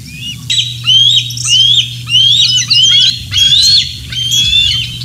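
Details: Bald eagle calling on a Decorah North nest-area morning, 27 June 2024, amid fish deliveries and feeding: a series of six high, thin whistled squeals, each rising then falling, roughly every 0.7 seconds, over a steady low hum.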